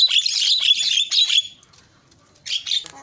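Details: Javan myna giving a varied song used to provoke other mynas; harsh, squawky, high-pitched phrases run together for about a second and a half, then a pause and two shorter scratchy bursts.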